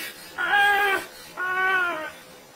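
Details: Parrot making a strange noise like a kid: two drawn-out, nasal, wavering cries, each lasting about half a second with a short pause between, sounding like a whining child.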